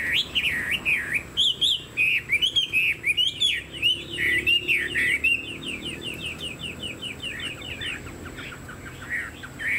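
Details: Kept Chinese hwamei, fan-tailed and tall, singing loud wavering whistled phrases, then a long run of rapid, evenly repeated notes that gradually quiet.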